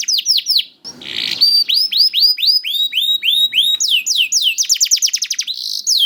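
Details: Juvenile pet canary song meant to coax silent canaries to sing: a series of high downslurred whistled notes at about four per second, a short noisy rasp, then accelerating trills of bright repeated syllables ending in a very rapid roll.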